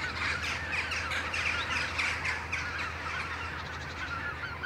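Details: Western jackdaws in a flock, back from the roost trees at dawn and flying together; rapid, overlapping sharp chack notes form a restless chorus, loudest in the first seconds.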